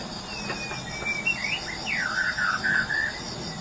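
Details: White-rumped shama from Medan whistling smooth, clear phrases that dip and slide, with mellow wavering notes in the second half, over a noisy steady background hum.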